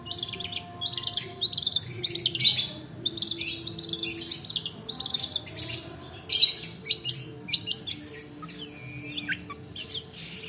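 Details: Long-tailed shrike delivering a long rolling song, used as a lure to prompt reluctant birds to sing and as a tutor for other birds: rapid, dense bursts of high scratchy chatter and sweeping whistled notes in clustered phrases, with short pauses between.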